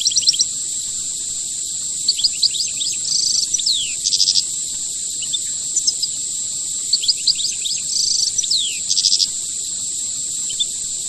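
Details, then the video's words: European goldfinch in rare khelwii-style song, delivering short bursts of tinkling high notes mixed with brief buzzy rattles and falling slurs, separated by short pauses, with a constant shrill background tone. "Chant chardonneret khelwii rare"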